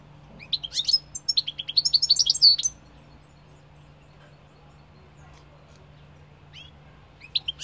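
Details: European goldfinch singing: a quick, jangling burst of tinkling, twittering high notes lasting about two seconds, then a pause and a few scattered chirps near the end, over a low steady hum.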